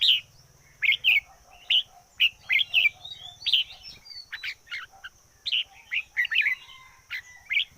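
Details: Red-whiskered bulbul used as a decoy, singing a lively run of short warbled notes and slurred whistles in quick succession, over a low rumbling hum and a steady high tone.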